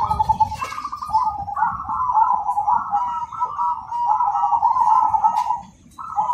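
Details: Cemani zebra dove in rhythmic, loud, clear song. Long rolling trilled cooing runs almost without a break, followed by a short pause and then a fresh phrase.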